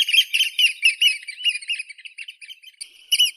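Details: Eurasian oystercatcher calling in a rapid run of shrill, high piping notes, about three per second. The notes come in a steady stream, soften and thin out midway, then two louder notes return near the end. No other sounds are clear.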